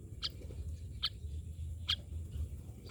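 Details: Myna birds giving four short, rough notes spaced almost evenly at just under one-second intervals against a low, steady background noise.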